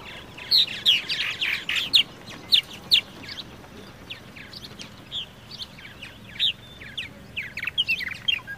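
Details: Purple martin calling: dense, loud bursts of rich, gurgling chirps and creaky notes crowd the opening two seconds, followed by scattered sharp chirps in irregular clusters right to the end.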